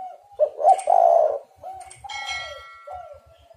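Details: Spotted dove, played as a lure to draw and trap other doves, giving low hoarse coos in a quick run of short notes, then softer drawn-out coos. A thin ringing tone sits above the middle part.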